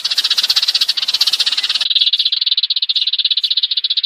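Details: Used as a trapping lure, a Eurasian tree sparrow calls its flock with a steady, rapid, buzzy rattle that runs without pause and becomes cleaner and narrower halfway through.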